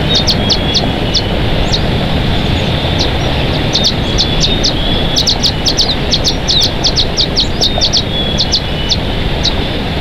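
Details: Bald eagles at their nest in Big Bear Valley, 23 May 2023 at 12:24, from a live nest camera: bursts of short, sharp, high chirps in quick irregular runs over a steady low rumble of wind or background noise.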